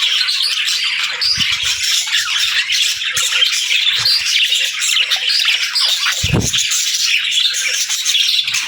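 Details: Morning flock of pet parakeets and lovebirds chattering nonstop, bright twittering and raspy squawks layered together, with a few faint taps and one louder low bump midway.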